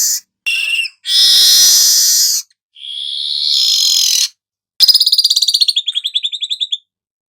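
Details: Song of a golden-headed weaver for tutoring cage birds: harsh sizzling buzzes followed by a long fast descending trill of ticking notes that slows toward the end.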